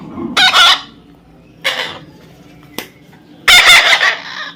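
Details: Young parrot giving short raspy screeches, three harsh bursts spaced over a few seconds, with a faint click between them and a quiet room background.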